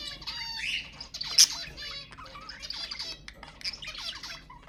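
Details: Budgerigar warbling played to stimulate budgies: busy, scratchy chatter mixed with short rising whistles and a single loud sharp note early on.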